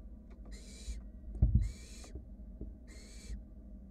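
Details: Wild barn owl chicks cuddling in a nest box while a sibling works at swallowing a rat; three drawn-out breathy hisses with a slight tonal edge, spaced about a second apart, and a soft scuffle in the middle.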